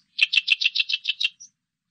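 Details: Oriental reed warbler song, recorded by Korea's national biological resources institute in 2020: a rapid train of about nine harsh, chattering notes near mid-high pitch over roughly one second, ending in one faint thin note; no other sounds.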